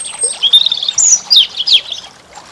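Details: European goldfinch singing in spring: quick liquid twittering with tinkling high notes and short buzzy trills in a rapid jumbled phrase, fading into a soft background hiss.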